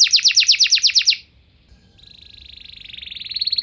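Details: Canary lure song: a quick series of downswept trilled notes, a short pause, then a thin, steady, fast buzzy trill that grows gradually louder.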